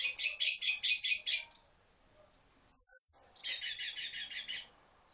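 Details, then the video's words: Red-billed quelea song: a quick series of six rasping, buzzy pulses, a thin high whistle sliding up and fading, then a second run of softer buzzy chatter. "How red billed quelea sings"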